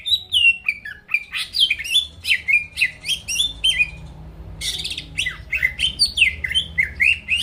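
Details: Greater green leafbird in full song, kept as a caged bird and played to provoke rival birds into singing; a rapid, continuous run of loud whistled and chattering notes, many sharply rising or falling, with brief pauses near four seconds and no other sounds.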